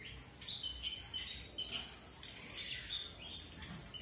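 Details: Strawberry finch, also known as red avadavat, producing a run of high twittering notes that climb toward long thin whistles near the end.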